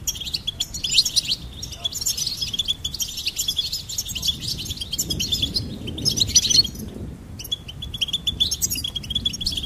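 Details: Goldfinch song, long and lively: dense bursts of jingling twitters broken by short pauses, ending in a run of repeated even notes; faint low rumble in the background.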